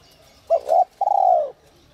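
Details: One spotted dove phrase in the whistle-voice style kept to stir wild doves into calling: a quick doubled coo, then a drawn-out, slightly falling hoot lasting about half a second.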